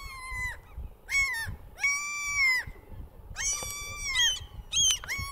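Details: Common gulls displaying at an upland breeding site in Central Scotland in March, over 100 birds present: drawn-out, harmonic-rich mewing wails, several overlapping, repeated in bursts with short gaps, low rumbling wind noise beneath.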